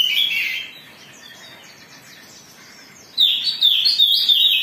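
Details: Oriental magpie-robin singing agitatedly as a lure to provoke other birds: a loud warbled phrase opens, fades into a quiet gap of about two and a half seconds, then a fresh outburst of vigorous, bouncing whistles begins.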